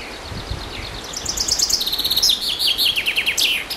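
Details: Chaffinch (Fringilla coelebs) delivers a bright, fast song of repeated high notes dropping in steps into a rattling descending trill, closed by an emphatic final phrase, against constant low environmental noise.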